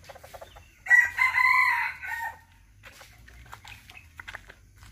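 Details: Serama chicken crowing: one loud, harmonically rich crow of about one and a half seconds, strong and steady, then breaking off, followed by quiet clucks and faint background sounds.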